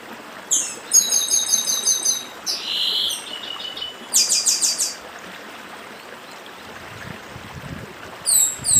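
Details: Papa-arroz from the Brazilian Northeast in dedim-style song beside a stream: bursts of very high, rapid buzzy trills and ringing notes, separated by pauses, over constant rushing water.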